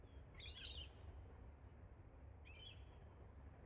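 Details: Wild Australian Galah pair, Rose-breasted Cockatoos, perched in park trees while bonding; two abrupt scratchy screeches roughly two seconds apart against a quiet, rumbling background.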